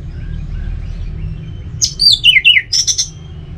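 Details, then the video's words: Kept at home in Singaraja, North Bali, a caged orange-headed thrush sings semi-doyong teler style after a pause: a falling chain of liquid whistled notes, then a brief burst of rapid high chips, above low background hum. "ANIS MERAH TELER. SEmi DOyong."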